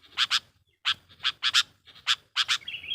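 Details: A sooty-headed bulbul lure recording: loud, rasping, buzzy chips often given in pairs, heard over a faint low hum, ending in a thin, wavering whistle.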